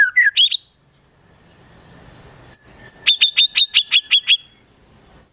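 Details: White-rumped shama delivering konin and kinoi imitations in its song: a few quick whistled notes, a pause, then a rapid, even series of about eight sharp, piercing high notes.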